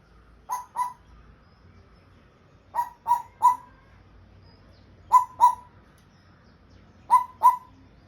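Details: A pet African grey parrot, apparently trying to speak, gives short paired or tripled mid-pitched, slightly nasal notes, repeated about every two seconds in a quiet room; African grey parrot.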